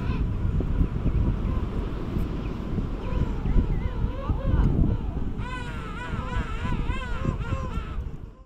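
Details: King penguins courting and mating on South Georgia during January 2019: faint, wobbling calls from other birds give way to a louder, rapidly quavering trumpet call near the end, all over strong gusting wind.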